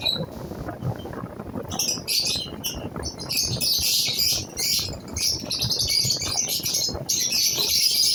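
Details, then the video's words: Lovebirds, a newly placed pair, giving continuous dense high chattering and squeaky chirps, overlapping and irregular, with low rumbling background noise throughout. "love birds k new pair lagay."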